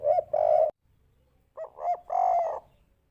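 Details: Spotted dove lure call in kuk 3 style. Two phrases of deep cooing, each a short note then a long, even, slightly rough coo, separated by a brief pause.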